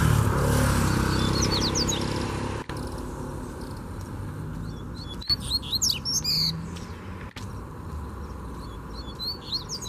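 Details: Free-flying wild Double-collared seedeater challenging a caged bird, sending bursts of quick, high, slurred whistled notes and short buzzy sweeps in the second half, over steady low rumbling background noise.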